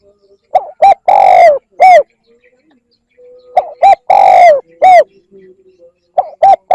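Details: Spotted dove cooing used to draw in wild birds: repeated phrases of clipped opening notes, a long rasping coo bending downward and a falling final note, with faint low background tones between phrases.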